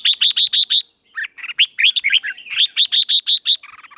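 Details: Red-whiskered bulbul morning song for training: opens with five evenly spaced, sharp repeated chirps, then a jumble of varied warbled notes, then another run of clipped, regular chirps.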